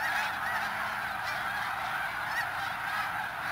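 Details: Many snow geese at Middle Creek WMA in Pennsylvania calling together, a continuous blend of nasal honks with occasional clearer individual yelps heard at a distance.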